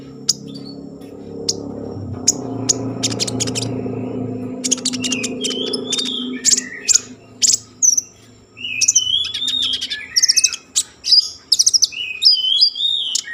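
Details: Common iora singing to spur breeding mood and song in other ioras: scattered clicks over a low rumbling hum, then loud bursts of sharp chirps and twisting whistled phrases in the second half.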